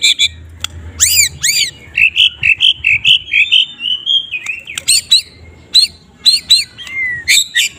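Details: White-rumped shama of the Medan type singing in the morning: loud harsh up-and-down slurred calls, then a long wavering whistled phrase, followed by sharp high chips; faint low hum beneath; used to train other birds.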